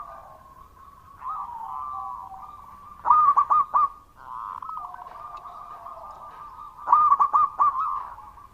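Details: Loud-voiced local zebra dove in frequent song. Two sharp clusters of four or five bright coos stand out about four seconds apart over continuous soft warbling trills in the background.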